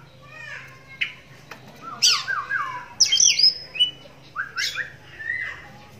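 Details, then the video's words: Oriental magpie-robin raised in captivity despite blindness in one eye, song prompting other magpie-robins to reply: harsh rasping bursts mixed with rich descending whistled phrases, spaced by short pauses, over a low steady hum. "Walau Matanya Buta Tapi Suaranya Mampu Bikin Kacer Lain Langsung Nyahut"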